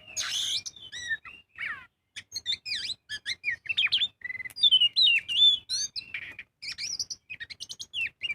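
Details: Full-voiced magpie-robin song meant as a lure to prompt birds to sing, a rapid, varied run of rising and falling whistles, trills and sharp chips with little pause.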